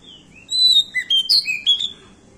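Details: Pied bushchat of the endemic Nusa Tenggara form, singing vigorously: a quick run of clear whistled notes jumping between high and lower pitches, some sliding up or down, about eight notes in just over a second.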